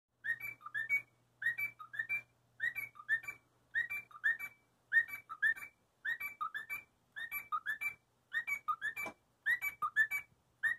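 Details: Cockatiel (Nymphicus hollandicus) on a play gym whistles a short stepped phrase, rising and falling like an arpeggio, repeated about once a second.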